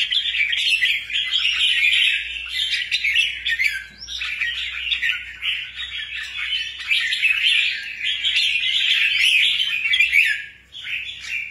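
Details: A rare albino crested bulbul chatters almost without pause in quick, bright, scratchy chirps and warbled phrases. No other clear sounds are heard.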